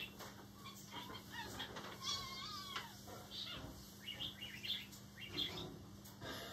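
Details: A male budgerigar sings to paper waved as if flying, acting excited: a busy, scratchy warble of quick chirps and chatter throughout, mixed with rustling and flapping noises.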